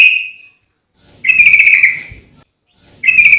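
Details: Sooty-headed bulbul, recorded as lure and training material: clear, ringing whistled notes, one fading out, then a buzzy trilled whistle lasting under a second, followed by another beginning.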